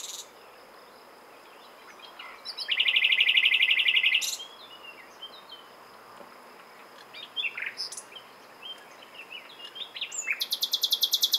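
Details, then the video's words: Common nightingale song: a long, fast, buzzy trill, then scattered varied whistles and chirps, ending in a loud, rapid series of sharp high pulses, over a steady hiss of background noise. "Słowik rdzawy (Luscinia megarhynchos) śpiew - Nightingale - Die Nachtigall - Le Rossignol philomèle"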